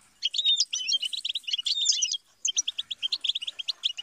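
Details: European goldfinch song for teaching and motivating songbirds: fast, tinkling twitters and short buzzy trills, with bright liquid notes, a brief pause near mid-phrase, then a rapid run of clipped chirps.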